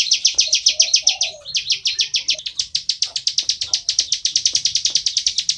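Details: Plain prinia singing loudly in a full 'ngebren' style: a fast, buzzy, high trill of rapidly repeated notes, briefly pausing and shifting pitch mid-phrase, with soft low cooing from a dove behind.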